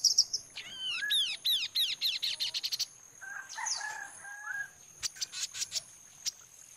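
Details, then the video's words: Kaso kaso (chestnut-capped babbler) song used as a lure to make other birds reply: a rapid accelerating series of bright, arched whistled notes lasting over two seconds, followed by softer lower notes and scattered clicks. "pancingan bunyi kaso kaso gacor dijamin langsung nyaut"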